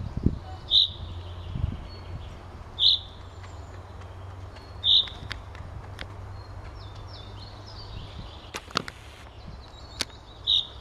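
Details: A common chaffinch in Ivanovo, Russia, on 8 May 2016 gives short, bright, high single notes about every two seconds, over a low rumble and a few faint ticks.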